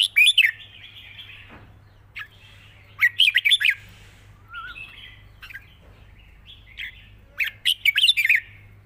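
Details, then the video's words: Red-whiskered bulbul, a caged songbird in Thailand, singing its long 'rik' song easily: clusters of sharp, quick warbled notes repeat every few seconds, linked by softer sustained tones. "ปากเบา+ร้องง่าย เพลงยาวมีริก"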